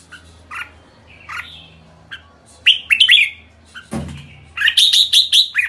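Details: Red-whiskered bulbul giving its kekek call: scattered short sharp notes, then a burst of loud rising chirps around three seconds in and a fast run of bright notes near the end, with a low hum beneath.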